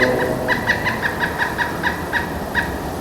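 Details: Female pileated woodpecker of a pair excavating a nest cavity in forest gives her contact call, a loose series of about ten ringing, clipped 'wuk' notes, made when moving feeding areas or approaching the cavity, over soft forest hum.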